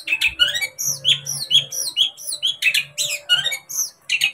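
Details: Long-tailed shrike song played so a kept shrike becomes agitated and sings: quick varied whistles, squeaky slurred notes and rasping chatter, about two phrases per second.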